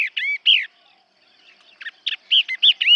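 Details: Yellow-eyed babbler decoy call used for hunting: loud, clear arched whistles in quick bursts of three or four notes, a pause, then a rapid run of sweet rising-falling notes.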